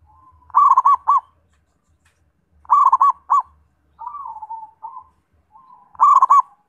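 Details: Zebra dove song: three bursts of quick, bubbly staccato coos, each ending in a short trill, with a softer drawn-out falling coo between the second and third bursts. The background is otherwise quiet.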